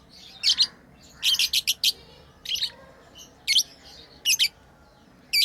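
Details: Pet lovebirds playing, giving rapid clusters of piercing high chirps, a quick run of five or six notes, then scattered single and paired calls.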